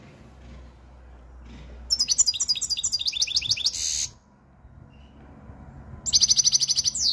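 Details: European goldfinch singing in peak form: two bursts of bright, rapid metallic twittering trills, the first lasting about two seconds and pulsing several times per second, a quiet pause, then a second loud trill.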